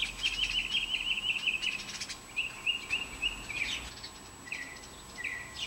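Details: Bluebird young at a nest box in June or July 2019, a brood of five followed from hatching to fledging. Rapid, buzzy chattering trills come in bursts, the first two long and steady, then shorter rising snippets, over a faint steady hum.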